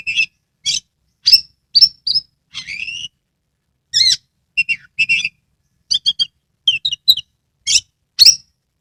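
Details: Oriental magpie-robin, a caged bird from Kebumen, Central Java, singing with its tail fanned: a varied run of whistled and buzzy notes with sweeping slurs, broken by short gaps, loud and clear against a silent background.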